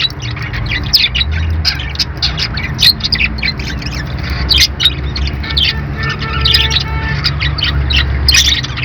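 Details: A flock of caged parakeets chatters in rapid high chirps and squawks for nearly nine seconds, with faint steady tones near the end and a low hum beneath.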